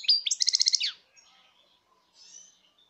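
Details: European goldfinch song from 2019: one brief phrase of about a second, high sharp notes leading into a quick run of eight evenly spaced bright chips, then faint soft twitters afterwards.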